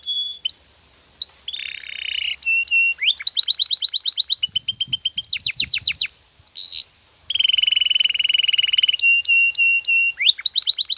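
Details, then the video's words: Canary song in the Spanish Timbrado style, used to train canaries to sing: a rapid, varied string of high whistles, rolling trills and fast metallic rattles, with sustained buzzy tones and repeated clicking bursts, nearly continuous. "Your Canary Will Sing Immediately - Canary's Sound Training Every Morning"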